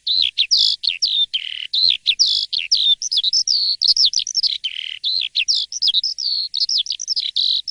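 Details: Asian pied starling in full morning song, loud and vigorous, pouring out a continuous mix of high whistles, lower drawn-out slurs and short chattering notes with hardly a pause.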